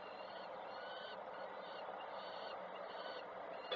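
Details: Peregrine falcon female arriving at a Koszalin nest on 3 June 2024, a chick fed by its mother; several drawn-out, grating calls follow one another over constant hiss, ending with a sharp click.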